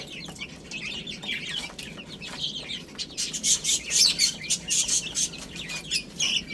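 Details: Young chicks peep while eating spinach. Rapid high chirps fill the first half, then louder broadband pecking and scratching noises dominate.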